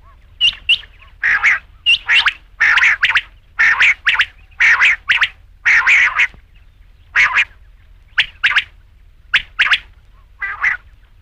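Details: Rain quail calling over and over, loud coarse paired notes roughly every second, slowing and thinning out toward the end.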